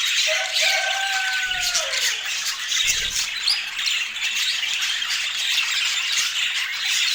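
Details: Feeding budgerigars chattering constantly in fast, scratchy warbles and chirps; early on a clear, steady whistled tone slides downward over about two seconds, and a couple of dull knocks sound underneath.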